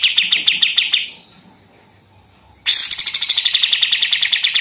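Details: Pied triller delivering rapid machine-gun chatter, recorded for tutoring other songbirds: a burst of high staccato notes, a silent pause of over a second, then a louder rattle starting high and settling lower.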